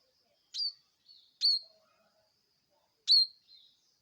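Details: High, piercing chips from a bar-winged prinia, each a quick downward-flicking note with a short tail, spaced irregularly and followed by softer echoing notes, in an otherwise quiet setting.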